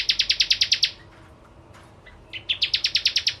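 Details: Rapid, evenly pulsed high buzzy trill from a bar-winged prinia, a short pause with a faint rustle, then a second trill that builds from softer notes.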